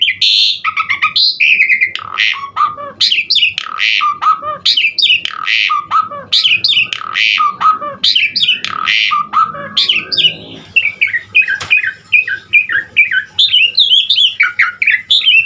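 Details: Jalak suren (Asian pied starling) in long lively 'gacor' song with unique 'isian' variations, suitable for tutoring other birds: continuous loud mix of squawks, gurgles and slurred whistles, shifting at the end to a fast chatter of rising and falling notes.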